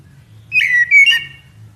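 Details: Common blackbird (Turdus merula) giving two quick whistled notes near the middle, the first slurring slightly downward and the second more level and bright, over a faint low hum.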